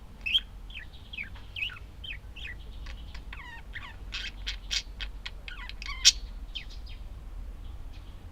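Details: Budgerigars chattering in a dense run of rising and falling warbled notes with sharp clicks and one loud squeak toward the end.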